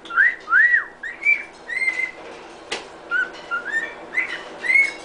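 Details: Pet cockatiel whistling Happy Birthday: a steady run of looping, swooping whistled notes, some rising then dropping, grouped in tune-like phrases, with a brief click in the middle.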